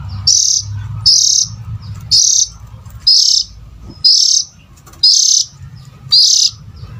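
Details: Lure call for catching adult oriental magpie-robins: seven grating, buzzy notes delivered at a steady pace of about one per second, each brief and loud, with a low hum underneath.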